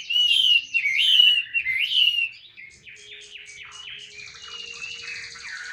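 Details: Chinese hwamei in a cage, song labelled 'ngũ trường cao cầu': loud rich warbling whistles at first, then softer buzzy repeated phrases and a faint steady low hum.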